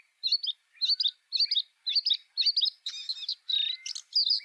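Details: Bluethroat (Luscinia svecica) singing a high, chattering phrase repeated about every half second, twittering double notes, then a scratchier, buzzy run and a sharp high note at the end.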